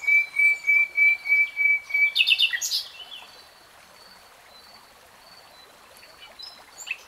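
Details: A steady row of loud, level whistled notes from a common nightingale, then a quick jumbled flourish, followed by a long quiet stretch with only faint distant calls.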